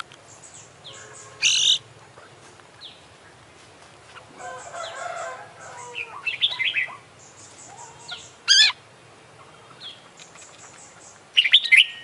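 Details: Oriental magpie-robin (kacer), an international contest champion, singing actively with a full mimicry repertoire: loud harsh bursts alternate with jumbled chattering notes and scattered high chirps.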